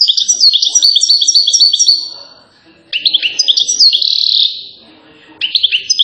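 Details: European goldfinch from Settat, Morocco, praised as a king among singers, pouring out quick liquid twitters and trills in bursts separated by short pauses, ending with a buzzy drawn-out note before resuming.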